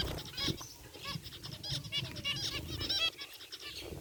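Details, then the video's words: A group of captive zebra finches, white and gray varieties, in an aviary, giving short nasal harmonic chirps in a dense overlapping chatter, with low rumbling background noise throughout. "Cute Zebra Finches in Aviary | Relaxing Bird Chirping Sounds"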